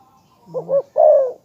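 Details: Spotted dove calling once: two quick hollow coos followed by a longer, drawn-out falling coo, in a quiet setting.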